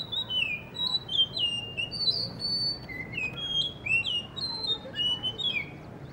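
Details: Rich, continuous song from a Blue whistling thrush perched in front of a guesthouse under construction near a cafe in Hunza, with many short whistled notes swooping up and down.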